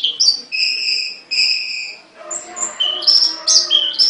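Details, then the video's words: Caged songbird holding a few steady, pure whistled tones, then switching to quicker high chirps and sliding notes toward the end. "The voice of a bird, (Suara burung), Burung kicau, Burung Sangkar"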